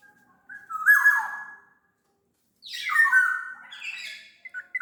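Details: Kepodang, the black-naped oriole, of Sumbawa origin: two loud mellow whistled phrases with harsher, buzzy edges, about two seconds apart, the second longer and descending.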